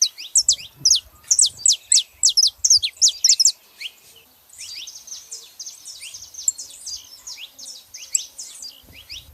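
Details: Saffron finches, male and female, vocalizing: an opening volley of loud, sharp, high descending notes in rapid series, followed by softer, overlapping chirps continuing at a quicker, lighter pace, over slight low rumble.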